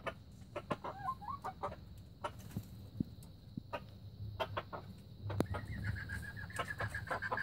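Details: Young red junglefowl in 2019 with clucks and sharp knocks, then a sustained, slightly wavering tonal crow held for about two seconds near the end, low rumble throughout.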